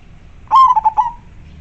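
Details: Local zebra dove with a clear, big voice, used as a lure for wild doves: one cooing phrase, a strong drawn-out first note followed by three short rolling notes, over a quiet low hum.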